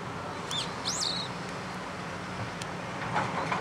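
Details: Two high, thin whistled calls from a Daurian redstart beside a mountain river in Kanagawa, Japan, in mid-November 2011, the second a quick upward sweep with a falling tail, followed by faint clicks amid constant low rumble.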